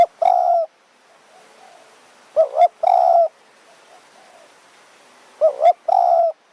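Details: Spotted dove used as a decoy to lure wild doves in high mountain forest in Kanchanaburi, Thailand, with a small but sharp voice: low hollow coos in phrases, a quick double note followed by a longer coo, repeated every few seconds.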